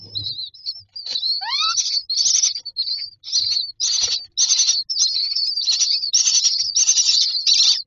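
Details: Myna babies begging for food in a nest box, with a brief rising whistle and then dense, scratchy high bursts packed closely together in an insistent, irregular stream.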